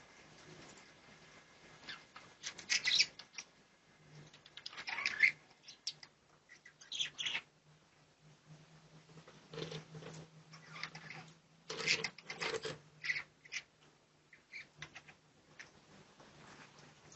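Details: Budgerigars (Melopsittacus undulatus) in an aviary colony, filmed by a hidden camera, give scattered scratchy chirps and warbling chatter, with bursts of wing flutter between calls.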